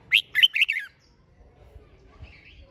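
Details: Red-whiskered bulbul, competition song intended to make birds sing. A single quick phrase of five rich whistled notes, the last slurring downward, followed by a faint buzzy note.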